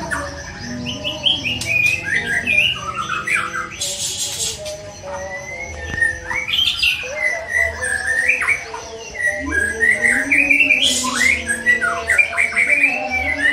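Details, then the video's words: Young forest-caught white-rumped shama pours out a long, varied song of sharp upslurred whistles, quick chips and descending notes in bursts separated by short pauses, over a constant low humming drone with occasional hissy noise. "Murai Batu Muda Hutan"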